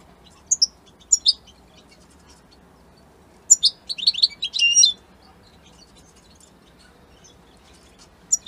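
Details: Italian European goldfinch giving a few sharp, high chirps, then a denser second-long phrase of rapid twittering, liquid notes, followed by quiet and one more chirp at the end.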